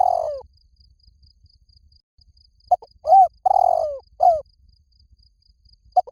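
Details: Spotted dove calling, used as a lure to bring doves in fast: a series of low, loud coos, some long and falling, others short and hooked, grouped after a pause of about two seconds, over faint background ticking.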